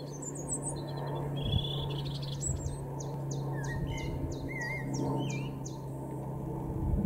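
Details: A European robin sings a thin, high, liquid phrase of varied whistles and quick descending notes over a steady low hum, in a garden in Weener, East Frisia, far northwest Germany, in April 2022.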